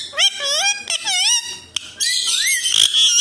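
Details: Talking pet Alexandrine parakeet, a desi parrot said to speak in Hindi. It makes drawn-out, wavering, speech-like notes, then a harsh raspy screech that rises at the end.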